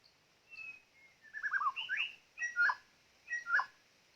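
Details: White-rumped shama used as a decoy to trap birds, singing a varied phrase: two clear whistles, then a tumbling run of buzzy notes and two loud, rich, downslurred bursts in a quiet setting.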